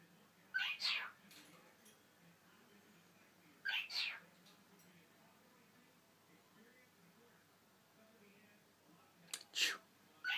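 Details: Pet cockatiel (Nymphicus hollandicus) imitating its owners' sneezes, also bobbing its head: three short, breathy, hissing sneezes spaced several seconds apart in a quiet room.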